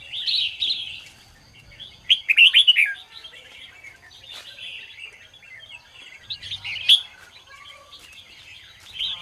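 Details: Red-whiskered bulbul morning song in the ché style, meant to rouse other birds: a rapid run of bubbling, gurgled notes, a loud chattering flourish around the middle, and further lively warbled phrases.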